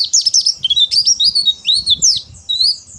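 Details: White-eye (pleci) giving harsh "ngeriwik kasar" chatter used as a lure to provoke other birds: rapid high scratchy twittering notes, tumbling and sweeping, in a dense unbroken run.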